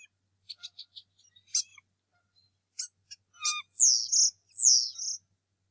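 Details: Adult male bald eagle at the Decorah North Nest on a March 2018 morning, angrily confronting an intruder eagle after the first egg was laid. Sharp high chirps come first, then loud, slurred, descending piping whistles in quick succession.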